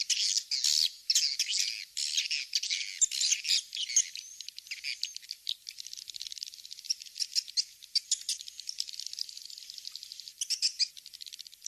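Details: Swiftlet calls used to bring swiftlets to nest houses: loud, busy high twittering at first, fading into a long stretch of soft, rapid ticking clicks with a brief twitter near the end.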